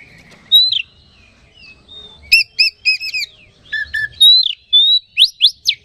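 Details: Oriental magpie-robin song used as a lure to quickly rouse other magpie-robins into energetic singing: varied clear whistles and slurred notes, bursts of stacked chattering notes, ending in rapid loud sweeping notes.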